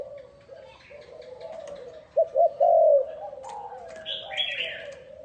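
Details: Spotted dove coo used as a decoy for wild doves: soft low cooing builds into two quick notes and a long loud hollow coo, with a chattering higher-pitched bird call near the end.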